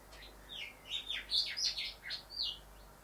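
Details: Male Rufous whistler singing near house windows where he admires his reflection: a lively run of clear whistled notes sliding up and down, some sharp and bright, packed closely over three seconds.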